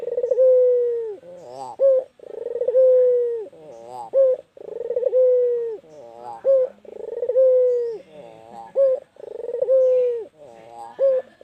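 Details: Repeated calling by a white Barbary dove: stuttering pulses leading into a long, slightly falling coo, each phrase capped by a short bright note, repeated about every two seconds, five phrases.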